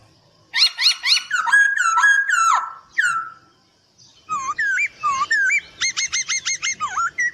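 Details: Training master song of a Chinese hwamei: bursts of fast chattering and whistled notes, a pause, then looping slurred whistles and evenly repeated sharp chips, about two per second.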